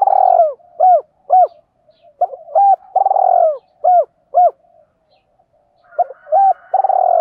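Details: Spotted dove (Spilopelia chinensis) giving challenge or fighting coos: soft, hollow, arched coos in clusters of two to four notes, some drawn out, separated by short pauses.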